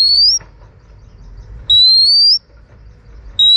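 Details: Oriental magpie-robin, a female giving calls meant to stimulate males: long, pure, slowly rising whistles of under a second each, separated by gaps of about a second, over a faint low hum.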